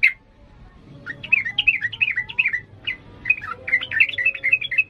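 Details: Sooty-headed bulbul singing busily in the excited 'ngalas' manner used to train young birds: one opening chirp, then two quick runs of slurred, tumbling chirps, about four notes per second, over a low hum.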